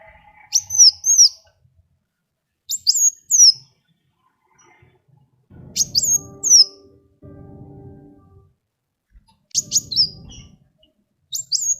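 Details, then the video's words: Sunbird song used to lure other birds into singing: short high whistled notes and quick downslurred phrases in bursts every two to three seconds, with low rumbling background noise between phrases. "SUARA KOWUL GACOR ISIAN SUPER MEWAH SEMUA JENIS BURUNG PASTI IKUT BUNYI"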